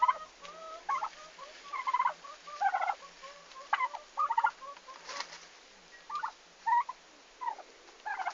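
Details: Newly arrived farm turkeys, recorded 11 August 2015 in Estonia on their first day: short gobbling bursts mixed with thin level whistled peeps, spaced irregularly with quieter gaps.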